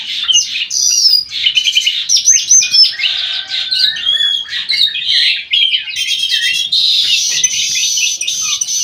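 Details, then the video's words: Golden-fronted leafbird called kutilang emas, white-eyed form, singing vigorously in an aviary: a dense, continuous run of bright whistled and chattering phrases, with rapid trills and slurred notes, barely pausing. "KUTILANG EMAS MATA PUTIH SUPER GACOR"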